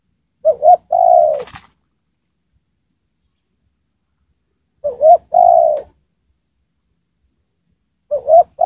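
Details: Spotted dove kept as a singing decoy to bring wild spotted doves down, repeating its low cooing phrase about every four seconds: two short rising notes then a longer falling coo, with quiet gaps between.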